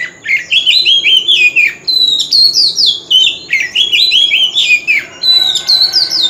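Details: Oriental magpie-robin singing a lure song used in singing contests, forest-style voice: continuous loud, melodious whistled phrases with sliding and rising notes, strongly repeated over several seconds.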